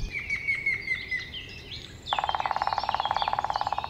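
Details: Grey-headed woodpecker, rare locally, in spring, gives its territorial series of clear whistled notes drifting sadly downward in pitch, followed by a fast, buzzy rattle of pulses; a species of riverside forests.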